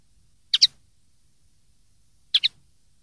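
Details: Common linnet song meant for young birds to copy, recorded 2013: two crisp double chirps separated by nearly two seconds of near silence.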